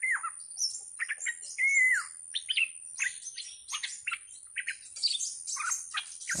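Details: Decoy bulbul held captive and singing aggressively, recorded 18 July 2021: a clear downward-curving whistle followed by a run of chattering, chirpy notes at irregular intervals over a faint constant high hiss.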